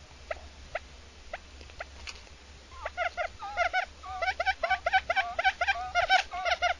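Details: Quail calling, a series of short harmonic notes, sparse at first and then quickening into a rapid, repeated chattering run over a low background hum.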